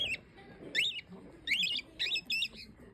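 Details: Green-winged king parrot uttering short, arched, squeaky calls in quick pairs and triplets against a faint, noisy background.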